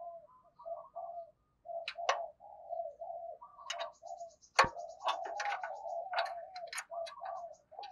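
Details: Decoy spotted dove cooing repeatedly in low, soft, mellow phrases, punctuated by sharp tapping and clicking sounds nearby.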